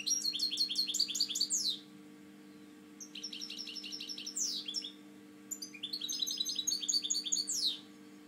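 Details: Three bursts of quick, jingling European goldfinch song from a captive breeding bird, each ending in a sharp descending sweep, separated by pauses of about a second, with a low constant hum in the background.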